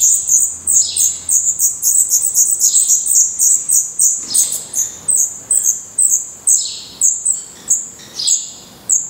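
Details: Young black redstarts in their nest in Portugal, eyes opened and growing definitive plumage, call in rapid high squeaky bursts that start as a continuous chorus and become separate sharp chirps, several each second.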